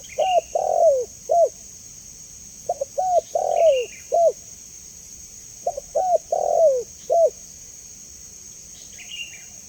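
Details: Clear spotted dove call, offered as a lure and training sound: three repeated phrases of short coos around a longer, drawn-out downward coo, spaced about three seconds apart, with a constant high-pitched hum behind.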